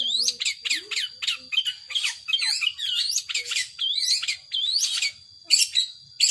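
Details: Scratchy, squawking phrases from a captive long-tailed shrike in 'power sobek' style, notes swooping down and up irregularly, with brief gaps and a final pair of loud harsh bursts.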